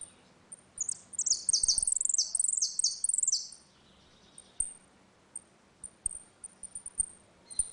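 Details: Saffron finch giving the ringing 'retinido' song during a dispute, used to teach young birds: a rapid run of bright high notes falling in steps, then scattered short thin chirps.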